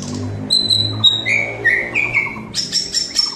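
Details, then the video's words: A White-rumped shama sings a rich, varied run of clear whistles, dropping from high notes to lower fluid phrases, then ending in a quick high-pitched trill. "Murai Batu Gacor Dor Full Isian"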